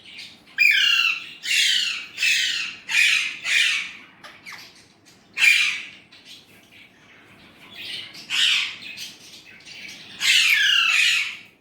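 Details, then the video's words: Indian ringneck parrot chattering in Urdu/Hindi, a long run of rough, squawky syllables and word fragments, some loud and some softer, with short breaks. "Indian ringneck parrot amazing talking parrot"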